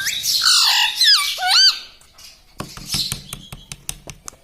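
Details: Talking pet parrot indoors: nearly two seconds of loud, warbling, voice-like syllables with swooping pitch curves, then sharp repeated clicks or taps in the room.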